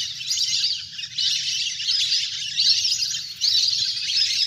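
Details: A natural recording of a large wild duck flock playing on water, used by a hunter as a lure. Busy, high chirping whistles pour out in surges, with louder bursts roughly every second.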